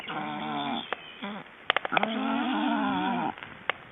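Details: Black storks being ringed in Estonia on 29 June 2012 give long, steady, whining harmonic calls, one fading out and a second held over a second, broken by sharp clicks and handling knocks.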